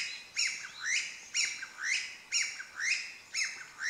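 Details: Chinese bamboo partridge recorded 20 May 2012 near asphalt, bird out of view, calls loudly with shrill, sharply inflected two-part notes repeated about twice a second in a steady, insistent series.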